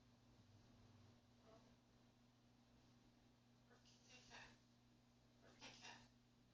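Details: A talking macaw looking for the cat says phrases such as "pretty bird", "where's the kitty cat" and "hello bird" in short, raspy human-like bursts a second or two apart, over a steady low electrical hum in a quiet room.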